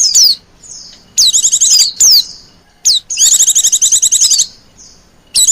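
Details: Busy white-eye lure sound meant to attract wild birds. Quick high descending whistles run into long, rapid, buzzy chatter trills, with a pause before a final whistle.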